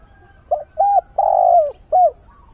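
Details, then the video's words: Caged decoy spotted dove calling for a mate at the start of the day: one phrase of a short coo, a double coo, a long drawn coo falling at its end, and a final clipped coo, over a faint steady high pulsing buzz. "Tiếng chim cu mồi giọng hạp bổi, ngày mới gáy gọi tìm bạn"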